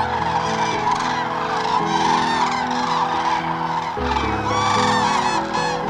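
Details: Common cranes dancing at Hornborgasjön, Västergötland, in April 2009, filmed with a Canon XL2. Loud arched trumpeting calls overlap one another above steady background music with sustained low tones.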